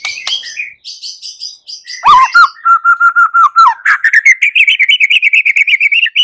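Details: Fighting song of a white-rumped shama, used to spur other shamas to sing back: high chips, then a steady run of evenly repeated notes, finishing in a fast, rising series of rapid chattering whistles.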